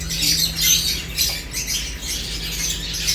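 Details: Lovebirds eating and chirping, with rapid, irregular high squeaky notes in a busy overlapping chatter and a low steady hum in the background.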